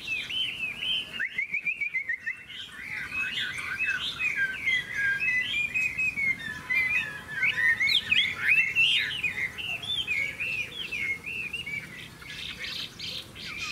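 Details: Hwamei in a singing contest, a golden, big-tailed bird that flicks its wings: a short silence, then a long dense burst of varied warbles, trills and sharp whistled notes that grows louder toward the middle.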